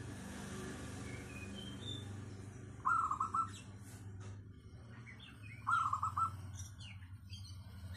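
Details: A local zebra dove with a clear 'crystal' voice sings its lure song. Rolling, bubbly coo phrases come roughly every three seconds among scattered high chirps from other small birds and a steady low rumble.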